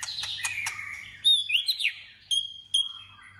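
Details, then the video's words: A white-rumped shama practises competitive song: a thin high whistled phrase, sweeping slurred notes, then two short piercing high notes, with a faint hum beneath. "Choè lửa hót đấu/Choè lửa hót luyện giọng căng lửa/Choè lửa hót"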